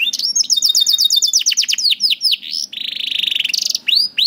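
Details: Canary song played to teach young canaries and slow singers: a fast trill of repeated notes, descending whistles, then a harsh buzzy rattle and a few sweeping whistles.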